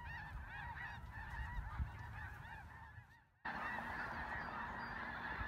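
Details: Snow geese in Vigo County, many birds giving bouncy, barking honks in rapid overlapping succession; the chorus briefly cuts out near three seconds, then resumes just as thick.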